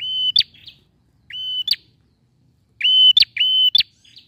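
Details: Lively song of a male bar-winged prinia, meant to coax a quiet bird into singing: flat, piercing whistles, each ending in an abrupt upward chip, given singly and then as a quick pair against a clean, quiet background.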